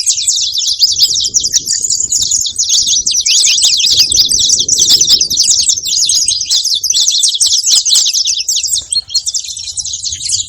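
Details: Continuous high-pitched twittering of a saffron finch, rapid sharp notes running together for the whole stretch before briefly faltering near the end; faint low rustle beneath.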